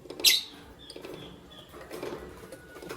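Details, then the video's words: Albino and Euwing Green Opaline lovebirds in the morning give one loud, piercing high chirp near the start, followed by quieter thin chirps and faint chattering in a small, busy bird room. "Lovebird Chirping Sound"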